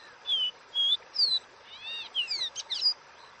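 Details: Caboclinho song in the Dó Ré Mi style: three ringing whistles, the third higher and falling, followed by a rapid twittering run of buzzy slurred notes, all over steady background hiss.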